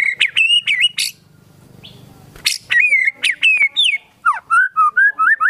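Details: Caged white-rumped shama in full song packed with mimicked phrases: clear whistled notes around a steady pitch, sharp clicks and bursts, then a run of short rising and falling whistles repeated rapidly, with a low hum in one quiet gap.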